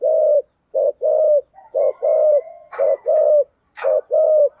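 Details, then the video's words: Spotted dove coo song of the 'giọng thổ' style: rounded, hollow low coos in short groups, with a faint higher whistle and a couple of brief rustling clicks in the background. "chim cu gáy giọng thổ"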